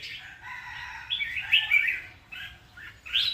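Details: Red-whiskered bulbul song heard as a blurred run of mid-high chirps and slurred whistles, with a louder warbled phrase near the middle and another burst at the end over a soft low hum.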